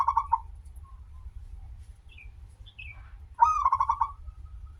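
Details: Zebra dove of local stock, an active singer with a long opening note, used as a lure. A short rolling burst opens, faint notes follow, then a loud fast rippling coo series near the end over a low rumbling hum.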